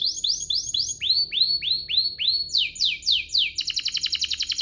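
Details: Domestic canary singing to provoke other canaries into song: series of repeated rising-falling whistled notes, each group a little different, ending in a quick, buzzy high trill.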